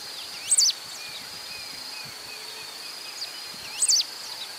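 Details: Pale-throated pampa-finch (Embernagra longicauda) in Rio Acima, Minas Gerais, Brazil, giving two brief, high, zigzagging phrases about three seconds apart over a steady, shrill insect drone.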